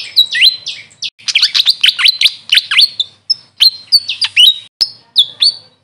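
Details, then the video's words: Grey fantail, locally called Maria Capra, giving a quick run of high, squeaky chirps and thin down-and-up swept whistles, several per second with brief pauses. "Grey Fantail bird call||huni ng Maria Capra kung sa amin tawagin"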